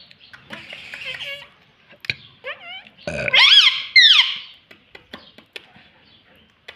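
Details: Pet parrot mimicking speech such as 'mummy papa' inside a room: low murmured syllables, then two loud harsh squawking words with swooping harmonics, ending in scattered clicks and soft chatter.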